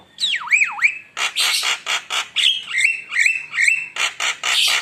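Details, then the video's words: Javan myna (jalak kebo) singing energetically as a lure: two looping whistled notes swooping down and up, followed by rapid harsh buzzy bursts mixed with short metallic whistles. "Pancingan Suara Mewah Jalak Kebo Gacor Bikin Panas Lawan"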